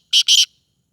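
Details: Black francolin, known locally as kala teetar, of the Sindhi 'speeder' type: two short harsh, rasping notes in quick succession, the second longer, on a quiet background.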